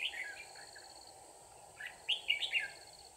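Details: Red-whiskered bulbul, trapping of a stubborn wild bird on 24 December 2018. Quick, lively warbled phrases open and close the passage over a constant high hiss.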